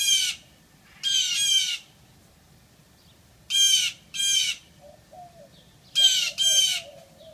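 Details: Blue jays (Cyanocitta cristata) scold a Siamese cat with harsh, raspy screams, mostly in pairs every few seconds, while the cat answers with fainter, lower mewing sounds between the calls.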